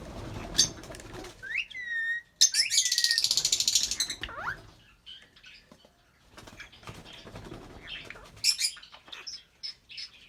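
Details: Albino red-eyed lovebird pair singing and chirping: scattered high chirps and quick rising whistles, then a loud buzzy, rasping chatter lasting about two seconds, a quiet pause, and more sharp chirps and short notes near the end.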